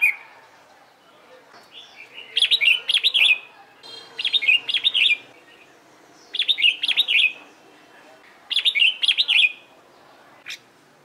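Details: Red-whiskered bulbul trained for singing contests, producing four rapid, rich warbled phrases of tumbling whistled notes, each lasting about a second, spaced roughly two seconds apart.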